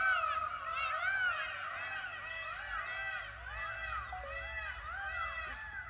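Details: In Mudumalai, as an elephant pushes down a tree, peafowl erupt in warning calls: loud, overlapping nasal honks, each call arching up and down in pitch.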